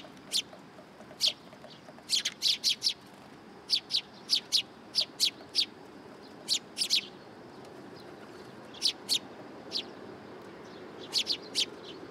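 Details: Sparrows come for food at daybreak at a Tenmangu shrine, 27 September 2022, chirping busily: dense runs of crisp, high tweets in bursts, a brief lull, then more clustered chirps over a soft background murmur.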